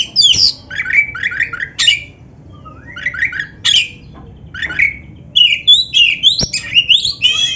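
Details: Oriental magpie-robin of the black-breasted form, used as a lure track for caged birds: loud harsh squawky notes alternating with falling whistled slurs, phrases spaced about a second apart, then a faster run of rising notes.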